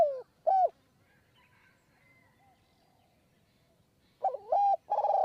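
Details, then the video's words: Spotted dove perched in the high forest of Kanchanaburi, Thailand, during decoy luring. A phrase ends with two short falling coos. After a quiet gap of about three seconds, a new phrase starts with a wavering note and a long steady coo. "คูบนคอน คูยาวมาก 170 คำ"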